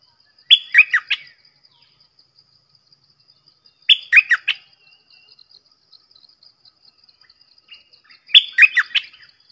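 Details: Red-whiskered bulbul repeating a lively, chirpy warbled phrase of four or five quick notes about every four seconds, over a constant rapid high ticking background.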